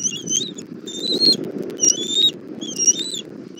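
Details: Nest-camera recording from Southwest Florida, 17:30 on 1 April 2024, with a mother bald eagle bringing food for her chick: four high whistled, slightly wavering notes in close succession over a low rumbling background.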